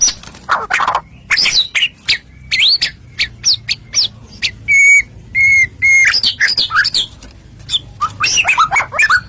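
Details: White-rumped shama song used as a lure to provoke other shamas into singing: a varied run of whistled slurred notes, sharp chips and buzzy bursts, with sustained level whistles near the middle and falling slurs toward the end.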